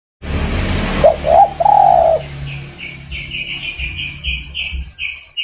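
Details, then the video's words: Spotted dove calling to other birds: a single phrase of two short rising coo notes followed by a long, drawn-out coo. High, thin chirps from another bird repeat afterwards. A steady hiss sits in the background. "Tekukur Memanggil Kawan"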